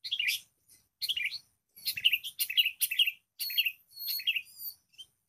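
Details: Wild sooty-headed bulbul in a fierce contest with a lure bird, which screams in response: loud, harsh, chattering bursts of bright notes, in about seven phrases separated by short pauses.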